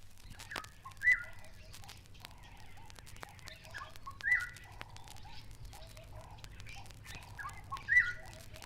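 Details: Black-headed Oriole in East Africa, which usually sits motionless in treetops, giving short, liquid whistled phrases about every three seconds, mid-pitched and slurred, over a low steady hum and faint background chirps.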